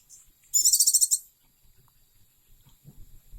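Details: Pet oriental white-eye giving a single high, buzzy trill of rapid pulses lasting about half a second, followed by near silence and faint low thumps.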